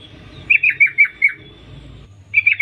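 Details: Sooty-headed bulbul female calling males: a run of five slurred, bubbly descending notes, then a pause and a second brief burst of three similar notes at the end, over a low steady hum.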